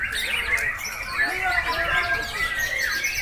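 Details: Caged white-rumped shama, a breeding bird, singing nonstop on 26 September 2021: bright whistled phrases and rapid chattering trills packed tightly together, with faint speech behind.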